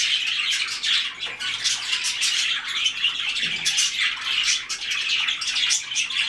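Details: White-faced cockatiels calling together in a dense, continuous chatter of harsh, scratchy chirps and screeches, overlapping without pause.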